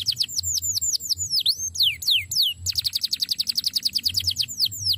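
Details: Belgian canary singing a fast, continuous run of high, sweeping whistled notes, dropping and rising in quick repeated trills with a brief pause midway; used as a training (master) song.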